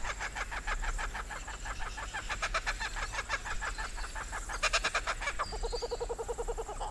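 A Laughing Kookaburra gives a rapid, rolling chuckle of harsh notes that builds to a loud burst, then settles into lower, steady hoo-hoo notes.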